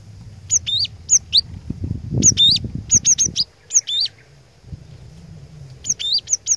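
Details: Decoy glatik batu sings to provoke rival tits: rapid strings of high, sharp chip-like notes in irregular bursts, with faint thumps and low noise around the middle.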